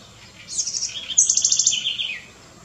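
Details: Curruíra or cambaxirra, the house wren, a small garden bird found throughout the Americas, delivers a quick, high song: thin opening notes followed by a rapid rattling series of repeated pulses that drops in pitch at the finish.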